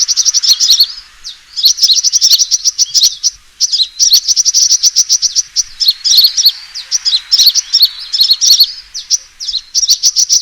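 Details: Long stretch of a sunbird's fighting call used to lure birds, with repeated bursts of fast, high chittering and tangled twitters, barely pausing between phrases.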